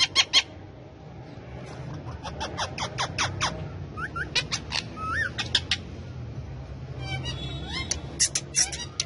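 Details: Pet male ringneck parakeet that talks and dances on a hand, kept with other parrots; a rapid run of short, harsh, buzzy syllables, then warbled, bending notes and a few sharp clicks, with a low indoor hum.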